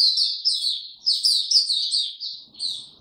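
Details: White-eye song recorded 26 March 2022 during warm, very humid weather: quick high warbling runs of tumbling notes, loud and continuous, tailing off in the last second into softer twitters.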